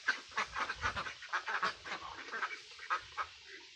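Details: Mandarin Ducks, Mallards and Pekin Ducks together, giving a steady series of short, nasal quacks, several per second at first and then spacing out, from more than one bird.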